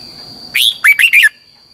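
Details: A single phrase from a red-whiskered bulbul, the long double-twisted training song: a sharp upswept opening note, then three fast looping whistles, with a constant faint high-pitched whine behind it.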